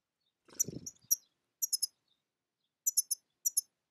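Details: European goldfinch giving sharp, high, tinkling chirps in tight clusters of two or three notes, after a brief low thud or rustle near the start; no other sounds.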